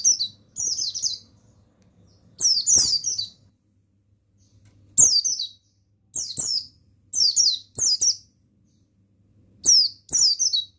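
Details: Male buxtoni mountain white-eye used to train other birds to sing; short shrill twittering bursts falling in pitch, delivered singly or in quick pairs with gaps of one to two seconds.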